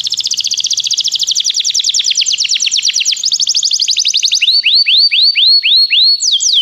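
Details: Canary training song with a rapid, even rolling trill of dense repeated notes lasting about four seconds, then slower separate upswept whistles repeated about twice a second.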